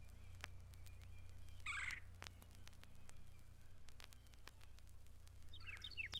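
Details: Red-bellied woodpecker, the most common woodpecker in the sanctuary: one rolling, harsh call, then a fainter partial call near the end, over a steady low hum and scattered clicks.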